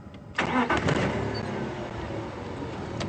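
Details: A vehicle engine starts and settles into a rumbling idle, with no animal voice heard.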